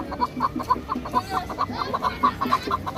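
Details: Tajik hunting and fighting chukar partridge uttering a quick, even run of throaty chuck notes, roughly four or five per second, against a background of rustling and low noise.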